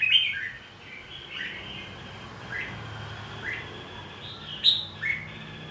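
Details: Red-whiskered bulbul fighting song played to spur birds into competitive singing: soft, slurred whistled phrases rising and falling, rather faint against a steady background hiss, with a sharper note near the end.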